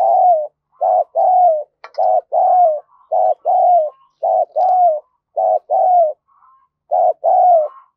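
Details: Lure spotted dove giving urging coos and murmuring calls meant to excite other doves into calling: a steady run of about fourteen low, hollow coo notes, short and longer ones alternating in pairs and threes, with a faint chip near the start.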